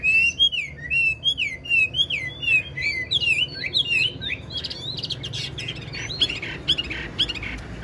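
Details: Old wild-caught Chinese hwamei, caged and admired for its voice, giving a string of rolling looped whistles, then sharper clipped notes and a fading chatter.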